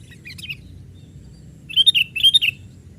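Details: Young sooty-headed bulbul at play on branches, meant to attract wild birds; a soft chirp sequence first, then two louder bubbly double-note phrases close together, liquid and slightly descending.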